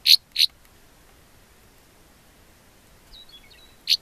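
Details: Two Northern rough-winged swallows perched close on an open car door frame by a dirt cliff where swallows nest in cracks, giving short, harsh, buzzy notes, two quickly then one after a pause, faint high twittering between.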